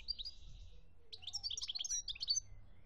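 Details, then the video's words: European goldfinch singing in Algeria in 2017: quick tinkling twitters and liquid trills high in pitch, a short burst then a longer busier phrase of rapid chirps, over faint low background hum. "chont chardonneret"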